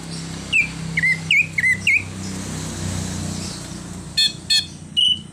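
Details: Greater green leafbird performing full 'isian' mimicry that includes a car-horn imitation: five quick dipping whistles, a pause filled with low hum, then a few sharp higher notes.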